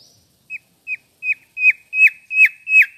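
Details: Seven whistled notes from a mangrove whistler, roughly three per second, each flat then curling downward, growing steadily louder through the series.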